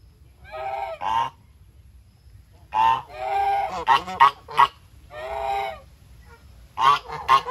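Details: Farm-raised geese eating their food, giving loud nasal honks in short bursts and paired double notes, with quiet pauses between groups.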